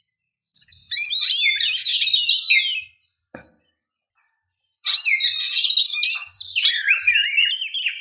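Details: Calling female oriental magpie-robin luring a male to sing, delivering two long bursts of rapid, varied whistles, rising and falling slurs and harsh chatter with a single click between them.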